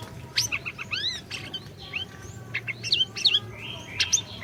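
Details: Orange-bellied leafbird in full song, used as a lure for a bird that will not sing: quick series of high curving whistles, sweeping slurs and chips, delivered in tight clusters.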